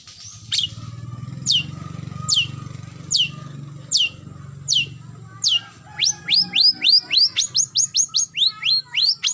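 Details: Long-tailed shrike calling a rival: sharp downslurred notes about one per second, then a rapid run of quick descending chips near the end, over low hum.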